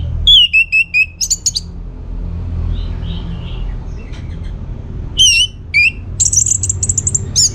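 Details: Song of an orange-headed thrush used to coax other birds into answering: short looping whistles and thin piping notes in quick bursts, then a pause, then fresh bright whistled phrases and rapid trills, over faint low rumble.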